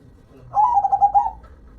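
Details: A single phrase of local zebra dove song: a soft, quickly pulsed coo opening slightly higher and settling into a level stutter for about a second.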